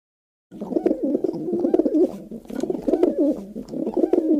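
A dove coos in low, soft, throaty phrases that rise and fall, repeated almost without pause, heard close up in a small room.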